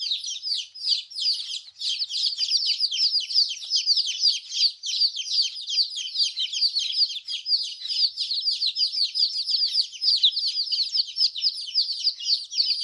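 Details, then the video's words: Baby chickens keep up a steady flock chatter of shrill, rapid peeps, several birds calling at once throughout. "Chicks chirping sound"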